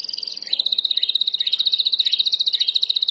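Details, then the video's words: Timbrado canary delivering a long, even rolling trill, very rapid and steady, holding one high pitch for about three seconds, recorded for training. "Chant de Canari timbrado / the wonderful sounds of canary bird chirping / canario timbrado cantando"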